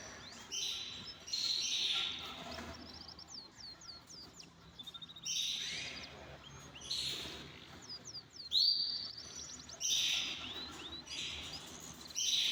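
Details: Caged canaries in an aviary while eating boiled egg: bursts of high song with quick descending whistled slurs and rolling trills, separated by short pauses, over steady background noise.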